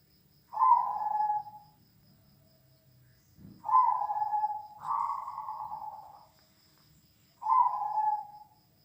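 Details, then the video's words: Zebra dove cooing used to build another dove's confidence: four soft, rolling, purring coos over about nine seconds, each starting loud and trailing off, with a quiet thump between the first two. "suara BESAR mengasah mental burung perkutut"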